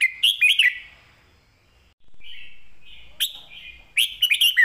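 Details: Red-whiskered bulbul delivering clear master-song phrasing: liquid warbled notes at the start, a pause, then slurred whistles leading into a fresh burst of rich chattering phrases.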